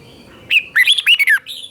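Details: Red-whiskered bulbul teacher song, doubled style for birds to learn: one short phrase of five or six sweet, slurred whistles rising and falling quickly, ending with a softer note.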